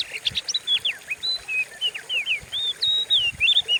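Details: Lure song from an Oriental magpie-robin for stimulating other birds: a steady series of clear whistled slurs, some rising, some falling, about three or four per second, with faint low thumps.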